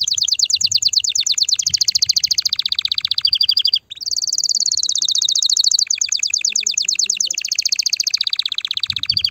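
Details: Excited canary song for stimulating mating, near-continuous high rolling trills shifting in pitch, broken by one brief pause, with faint low background noise.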